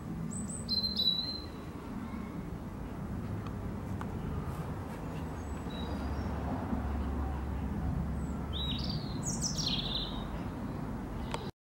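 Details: A male Robin living in a backyard sings thin, high, slurred phrases in two short bursts separated by a pause, over a steady low background rumble; he was also grooming himself.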